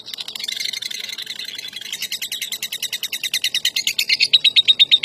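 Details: Champion lovebird building a long ngekek trill: soft jumbled chatter swelling into loud, evenly spaced high pulses that grow stronger toward the end.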